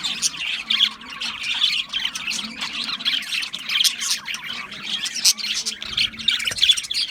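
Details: Many budgerigars warble and squawk together in a dense, scratchy chatter. Bright squeaky notes break out now and then over the steady flock noise.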